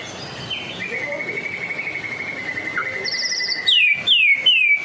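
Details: White-rumped shama of the Medan type, singing persistently as a lure for other shamas: a long level whistled trill, then a high buzzy rattle and three quick ringing down-slurred notes.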